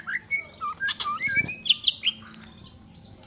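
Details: Greater green leafbird singing a varied, hurried run of short chirps and clear whistled notes, jumping between low and high pitches, with a brief low thump near the middle.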